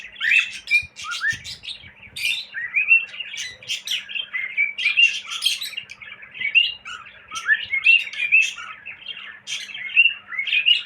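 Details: Cockatiel chattering and whistling continuously, with quick rising chirps and bright warbled notes tumbling one after another, with a faint steady hum underneath.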